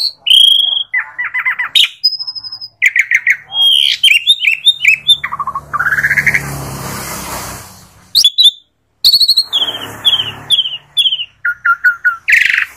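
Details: Asian pied starling singing a long, varied sequence of rich whistles, rising slurred notes, grating squawks and rapid chatters in irregular bursts, interrupted by brief stretches of rushing background noise.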